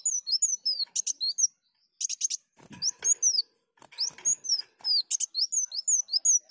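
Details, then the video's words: Sunbird song used as a lure: bright high chirps in quick strings, interrupted by scratchy rattled bursts, a short silence near the second mark and a brief rustling low noise. "Pancingan Kolibri Daun Bocor"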